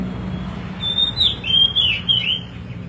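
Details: Oriental magpie-robin calling song, used to make other magpie-robins answer: a short run of clear whistled notes near the upper register, some sliding and warbling, over a steady low hum.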